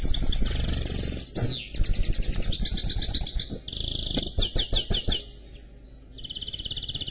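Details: Song of a canary-goldfinch mule: a continuous mix of high rattling trills, a descending sweep, and a string of quick repeated chips, over a steady low background hum.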